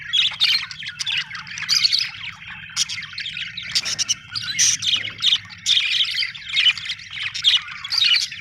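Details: Busy budgie chatter: bright squeaky chirps and warbles tumble over one another in rapid bursts, with brief louder clicks and a soft low background hum throughout.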